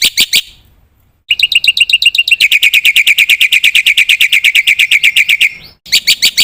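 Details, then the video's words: Black-winged myna singing energetically with filler phrases: a few loud chirps, a pause, then a long fast run of even buzzy notes, roughly three per second, ending in a sharp cut and renewed chirping. "suara burung jalak putih gacor full isian pancingan masteran ampuh bikin gacor pagi - siang - malam"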